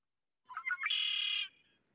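A Red-winged Blackbird gives two or three quick gurgling notes, then a long, harsh, buzzy trill lasting over half a second. No other sounds are heard.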